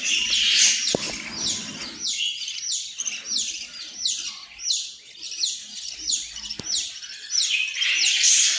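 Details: Australian parrot repeating short, downward-sliding chirps in a fairly steady rhythm, about two per second. There are two sharp clicks in the background.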